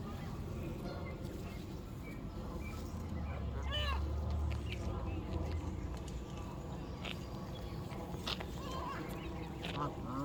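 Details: Canada geese in their natural lakeside habitat, calm and social, feeding on grass or resting. One arched, harmonic honk stands out near the middle, with other brief calls scattered through a steady low rumble and faint chirps of small birds.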